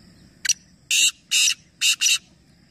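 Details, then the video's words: Harsh rasping call of a black francolin, one of three competing birds at Nawabshah, Pakistan: a double click, then four loud buzzy grating notes, the last two closely paired. "Teen Teeter Ek Sath Awaz Competition | Black Francolin"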